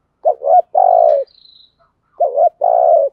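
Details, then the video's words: Decoy spotted dove cooing to lure wild doves: two phrases, each a quick double-dipped coo followed by a longer, purring, slightly falling note, separated by a pause of about a second; clean recording without other sounds. "chim cu mồi thúc gù bài bản nhất hiện nay, chim cu gáy kích bổi hiệu quả nhất hiện nay"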